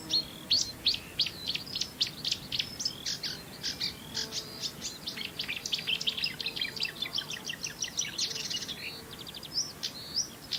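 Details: Marsh warbler pouring out a long, fast, varied song of chattering notes, sharp whistles and buzzy trills, changing phrase every moment with little pause.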